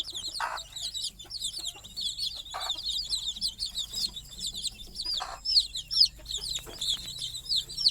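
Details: A brood of chicks chirps steadily as the mother hen sleeps on a stick over the nest at night; rapid, high, falling peeps, about two a second, with occasional brief rustles.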